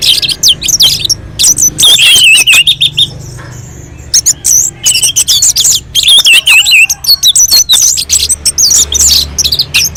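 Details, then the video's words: Loud, energetic song of an orange-headed thrush on a mountain slope, played to provoke other birds into singing: tumbling whistles, chips and slurred phrases in quick runs with brief gaps, over a low background hum. "kicauan anis merah sangat merdu dan gacor untuk pancingan"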